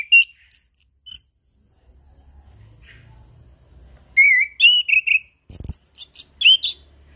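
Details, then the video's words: Whistled song of a chestnut-capped thrush as a lure for silent birds, morning, noon and evening; scattered high notes, a lull, then a lively sequence of wavering whistles and very high twitters. "Anis Kembang Ngeplong Pagi Siang Sore - PAncingan Burung Anis Kembang Macet Bunyi"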